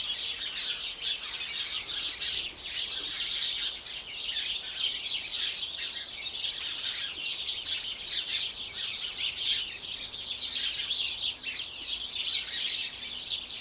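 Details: A Eurasian wren (Troglodytes troglodytes) in a garden gives high, rapid chirps and ticking trills that run almost without pause. The sound is shrill, busy and continuous.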